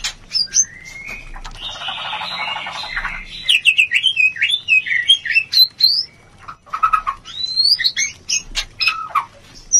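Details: White-rumped shama mating sound, played as therapy to raise breeding urge: an opening whistle, a long buzzy rasping phrase, then quick rising and falling whistled notes mixed with sharp chips, alternating loud and soft.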